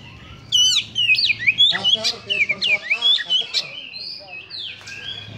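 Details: Oriental magpie-robin, or kacer, singing harshly to rouse emotion: loud grating, rattled notes mixed with sharp zigzag whistles in quick succession, ending in smoother high whistled slurs.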